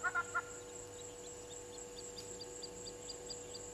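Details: Brown-headed parrot (Poicephalus cryptoxanthus) at Gowrie dam waterhole, Djuma Game Reserve, Sabi Sand, South Africa, 16:45 on 06/08/20: three quick harsh screeching notes, then faint high chips repeating over a steady background hum.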